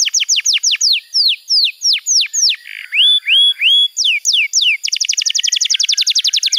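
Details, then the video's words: Varied canary song used to train young canaries: spaced downward-slurred whistles, three rising whistled notes, more falling slurs, then a rapid even trill. "Masteran Kenari PAUD & Pancingan Kenari MACET BUNYI‼️ Terapi AMPUH Bikin Kenari GACOR"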